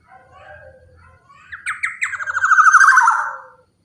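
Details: Black-naped oriole song used as a lure for other orioles: a few soft low notes, then a loud, harsh, rapid series of stuttering notes that grows stronger and slides downward before stopping abruptly after about three and a half seconds.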